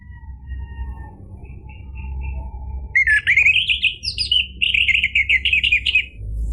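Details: Orange-headed thrush song played to spur a silent bird into singing. A few faint whistles come first, then a sudden loud burst of rich, rapidly changing whistled notes. Short trilled segments follow over a low background hum.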